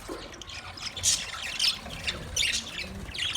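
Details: Parrots chirping, recorded 20 November 2023: a few short, bright, harsh squawk bursts about a second apart, with softer chirps and low rumbling in between.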